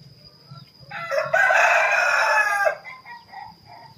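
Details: Male laughing chicken (Ayam Ketawa), caged and in training for long continuous crowing, gives one loud hoarse burst of about two seconds, followed by quieter fading notes.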